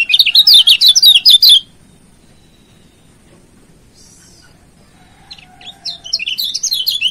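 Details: Lombok yellow white-eye, known locally as kecial kuning, singing a master song used for training and to provoke a rival: fast bursts of high, twittering, warbled chirps, loud for about a second and a half, then quiet, then resuming.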